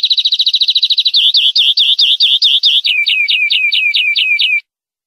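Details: Captive-training tutor song of a European greenfinch, 2020/2021: a quick rattled trill leads into repeated looping chirps and then a string of sharply falling whistles, all clear and free of background noise.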